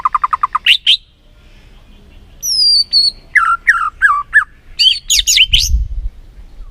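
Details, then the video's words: White-rumped shama song used as a lure to excite a reluctant bird into singing: a fast run of repeated short notes, then high whistled slurs, descending chattering phrases and loud rising sweeps, with a low rumble near the end. "PANCINGAN MURAI BATU BONGKAR ISIAN GACOR, MURAI BATU MALAS NAIK EMOSI LANGSUNG BUNYI GACOR."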